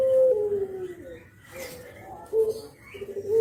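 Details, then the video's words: Spotted dove giving the kuk geruk call used as a lure, Javanese bird nodding; a held coo drops off, a quiet gap, then two short coos close together. "KICAU KUK GERUK BURUNG JAWA BRENGGOLO"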